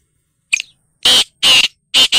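Black francolin giving a short opening note, then three harsh, grating rasps in quick succession, each about a quarter-second long. No other sounds.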